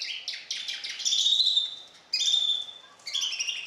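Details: Four-month-old goldfinch hybrid, kept indoors and being tutored on nightingale song, gives high bright chirps and sustained whistled notes in three short bursts separated by brief pauses.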